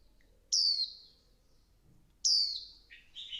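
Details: Female Swinhoe's white-eye calling to stimulate the male into fiery song: two loud, high, thin notes that slide steeply downward, about 1.7 seconds apart, with quiet pauses between them.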